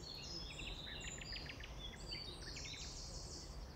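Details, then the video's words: Great tit singing one of its many song motifs, 27 of which have been catalogued, recorded on a guided nature walk in the Baie de Somme in April; high repeated notes with other birds twittering over a low rumble. "Alors là, c'est un des motifs du chant de la mésange qu'on entend, mésange charbonnière."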